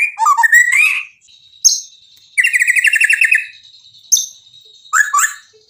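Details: White-rumped shama: a quick warbled phrase, then sharp clicks, a long buzzy rattle and further scratchy notes separated by brief pauses.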